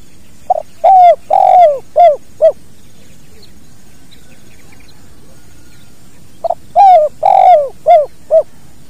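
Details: Spotted dove giving its 'kuk dua' call, natural recording for training birds; mellow cooing phrases of a brief note, two long slurred coos and two clipped ones, repeated twice with a pause, faint low background hum.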